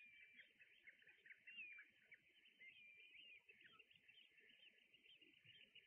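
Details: Red knots on Juist, accompanying brent geese, give a dense, continuous chatter of short, thin whistled calls and rising squeaks. The notes overlap from many birds at once, with a soft rustle of wind or surf beneath.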